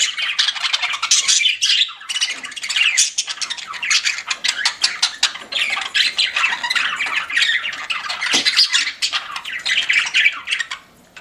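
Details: Several pet budgerigars kept indoors chatter nonstop: rapid clicking, buzzy warbling and high squeaky notes tumble over each other, with brief dips in loudness between bursts.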